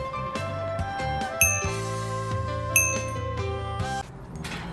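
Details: Bright instrumental music with ringing chime and bell-like notes over a steady bass line, with no animal voice heard.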